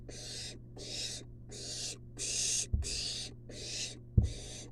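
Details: Wild barn owl nestling in a monitored nest box, being brought a long-tailed rat by its mother. It gives six harsh, breathy hissing screeches in a steady series, with two dull thumps and a constant low hum.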